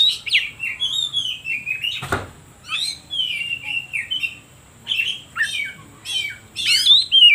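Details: Oriental magpie-robin song used to provoke other birds and draw wild kacer. Varied whistled phrases and descending slurs, broken by a sharp click early on, ending in loud rising twittered flourishes.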